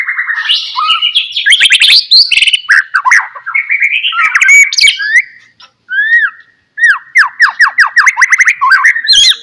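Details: Energetic white-rumped shama song as a lure to make other shamas sing, dense with rapid chattering and warbling, downslurred whistles, and harsh squawky notes, pausing briefly midway before resuming.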